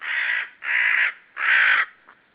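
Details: Common raven yelling hard, unseen, near a white-tailed sea eagle nest at Saunja, Estonia, on 18 March 2013 in the afternoon: three loud, harsh, rasping calls of about half a second each, following one another closely.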